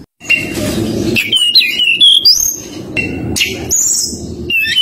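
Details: Forktail (tledekan gunung) whistling in nyuling style to call out a rival, with a lure recording: high, fluting notes that slide up and down and break into short phrases, over steady low background music.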